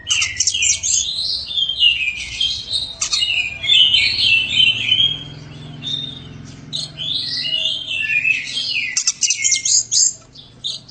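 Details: White-rumped shama, a champion bird, singing a continuous run of high, rich warbled and slurred phrases with sharp accents, over a steady low hum of background noise.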